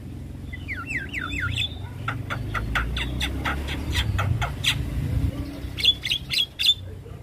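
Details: A persistent Javan myna song with fills, meant to draw a quick answer from lure mynas, opens with a zigzag warbled phrase, then rapid dry clicks and chacks over low background rumble, ending with short bright whistles.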